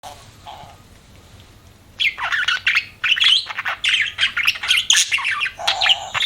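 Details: Budgerigars chirping: near quiet for two seconds, then a burst of dense, overlapping chirps and squawky chatter that runs to the end, with brief pauses.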